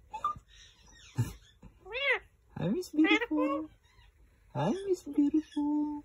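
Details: A male green Indian ringneck parakeet talks in short, high, nasal phrases with swooping rising and falling tones, separated by brief pauses, in a quiet room.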